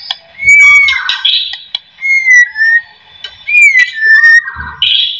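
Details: White-rumped shama song used as a lure to make other shamas sing: loud, clear whistled slurs, some rising and some falling, alternating with rapid buzzy, chattering bursts, delivered in phrases separated by short pauses.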